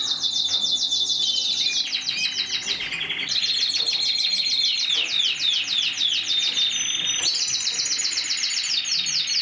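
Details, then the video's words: Long mosaic canary song of rapid rhythmic trills, short pauses and changing tours, with bright repeated chirps and a clear whistled note near the middle. "تغريد الكناري موزايك مالتي"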